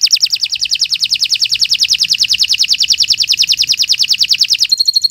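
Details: A canary in long, continuous 'gacor' song, delivering a rapid, even tour of bright downslurred notes, about eight per second for nearly five seconds, closing with a thin high twitter.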